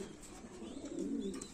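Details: Lahori pigeon at a Comilla farm in Bangladesh, cooing softly: a low, bubbling coo grows louder toward the end over quiet indoor ambience.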